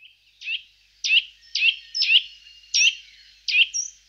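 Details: Eurasian nuthatch (Sitta europaea) giving six loud, sharp, down-slurred 'dwip' notes, spaced roughly every half second, each clean and emphatic against a quiet background.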